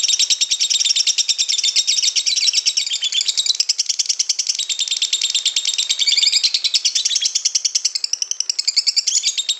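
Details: White-beaked lovebird delivering a long ngekek trill: a dense, unbroken chattering run of rapid high notes, about three per second, sustained for nearly ten seconds with slight wavering pitch toward the end.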